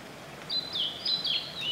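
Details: Blue-and-white flycatcher in spring, singing from treetops in a waterside forest just after rain: a run of high, clear whistled notes, some sliding down, delivered in linked phrases over soft ambient hiss.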